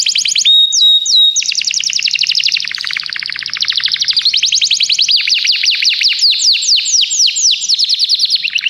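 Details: Common canary in continuous song: brief pure tones, then dense fast trills of rapid repeated strokes that shift in speed and pitch, ending in sweeping descending slurs.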